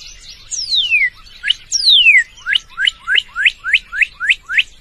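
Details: A Northern cardinal gives a pair of long descending whistled slurs, then a string of about eight brisk rising notes repeated several times a second, bright and ringing against near silence.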